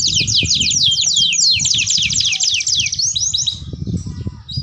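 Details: Singing canary, offered as a tutor for canaries learning songs: a rapid, rolling trill of high slurred notes about four a second, changing pattern midway before fading, over steady low rumbling background noise.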